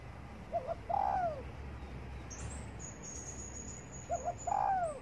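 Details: Spotted dove cooing while sunbathing in the morning: two phrases about three and a half seconds apart. Each is two short soft notes, then a drawn-out, smoothly falling coo. A faint high whistle and low background rumble are also heard.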